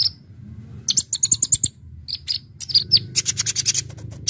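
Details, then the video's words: Chattering brown-throated sunbird song, 'gacor full isian' style meant to attract birds: thin high whistles, then crowded rapid sharp chips building toward the end over a faint low rumble. "Suara Burung Kolibri Ninja Konin Gacor Ngobra Full Isian untuk pikat"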